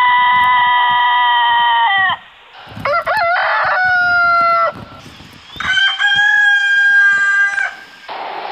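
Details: Rooster crowing repeatedly: a long steady harmonic note, then broken rising syllables and another drawn-out crow, with a further crow beginning at the end and faint low background noise between calls.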